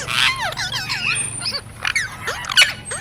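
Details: Talking parrot copying human speech: quick harmonic syllables that swoop up and down, a short pause near the middle, then sharper chattering notes and a brief loud peak toward the end.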